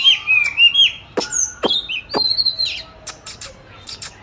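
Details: Oriental magpie-robin in a cage, raised from 29 July 2020, recorded 22 March 2021 while hung for song training; short high whistled phrases and wavering notes broken by sharp clicks, then quieter ticks.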